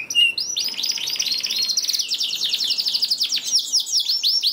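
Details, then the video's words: Canary singing to stir lazy canaries into song: a short whistle, then a dense fast buzzing trill, followed by clear repeated falling notes, continuous and bright. "PANCINGAN KENARI JAMIN AMPUH LANGSUNG BUNYI SEKETIKA DALAM HITUNGAN MENIT #27 || VOICE OF CANARY"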